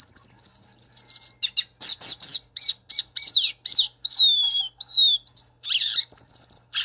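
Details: Violaceous euphonia delivering a lively, varied song of high piping notes, buzzy trills and descending whistles in quick bursts, roughly four phrases per second at times, clean and close with no other sounds.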